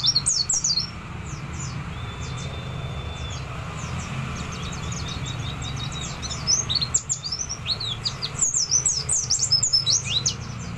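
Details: White-eyes readied for competition; scattered high chirps, a level whistled note held over a second, then rising bursts of rapid twittering amid low background noise.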